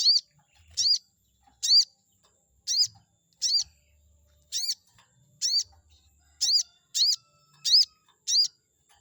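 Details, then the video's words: Chestnut-backed scimitar babbler singing, meant to provoke a rival bird into answering: a steady series of about a dozen loud, high, arched whistled notes, closely spaced and speeding up toward the end. "pancingan burung sogon auto emosi || bikin respon sogon lawan"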